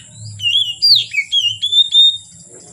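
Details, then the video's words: Oriental magpie-robin song late in the day: a continuous phrase of clear whistles, sliding and wavering, ending on a long steady note, over a soft low hum. "Kacer Gacor Sore Sampai Gelap Malam tetap Bunyi Gacor"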